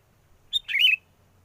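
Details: A single quick, bright, slurred whistle phrase of a sooty-headed bulbul, a lure song used for trapping birds and recorded in strong wind, heard against a quiet background.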